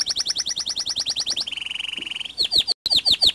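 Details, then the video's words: Local white canary singing: a rapid series of high notes repeated about every tenth of a second, then a sustained trilled buzz, then sweeping downslurred chips with a brief gap. "Burung Kenari Putih Lokal Tunjukan Kicauanmu !"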